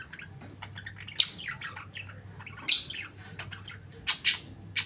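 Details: A budgerigar chatters in sharp squawks and chirps, mimicking the words "love you".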